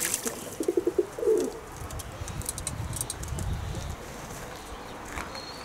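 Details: Pigeon cooing: a brief low, pulsing coo near the start rises into one fuller rolling note, then quiet background hum and hiss for the rest.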